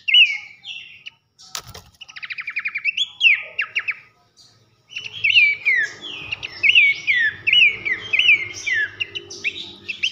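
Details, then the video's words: Tutor song for contest birds from Horsfield's babbler, pelanduk semak: whistled phrases and an accelerating trilled series, a sharp click near two seconds, a pause, then a long dense run of loud whistles and trills. "masteran nembak nyiul keras khas pelanduk semak"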